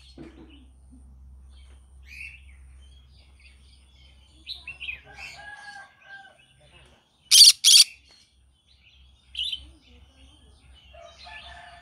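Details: Morning vocalising by a green-cheeked conure: quiet chirps and murmured notes build to a loud double rasping squawk, followed by a single chirp and soft chatter.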